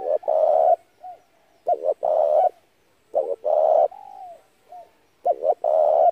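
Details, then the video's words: Spotted dove calling repeatedly as a trapping lure. Each loud phrase opens with two short coos and ends in a long steady coo, repeating roughly every one and a half seconds, with softer curved coos between. "tiếng chim cu gáy hay kích mồi rút bổi tốc độ cực chuẩn"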